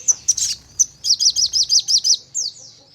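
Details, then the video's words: Crimson sunbird song played as a lure to spur other birds into singing: a few piercing high chips, then a run of about eight sharp, evenly spaced notes ending in a thin downslurred note. "Burung Sogon Untuk Pancingan Dengan Nembak Dan Ngleper"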